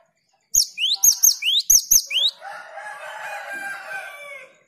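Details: Gelatik batu (cinereous tit) singing to encourage fast long-roll ngerol song: four quick phrases of upward-swept whistles ending in piercing high notes, followed by a longer buzzy, harmonic chattering sound.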